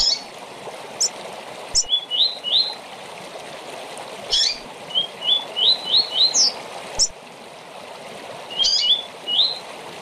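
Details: Coleiro or papa-capim singing its short tournament song: three phrases, each a harsh high note followed by a series of two to five rising whistles, against steady hiss.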